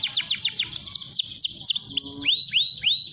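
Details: Canary singing a long, energetic song used to prompt other canaries to sing: rapid descending whistled sweeps in quick series, then slower rising-falling slurred notes, with a faint low hum underneath.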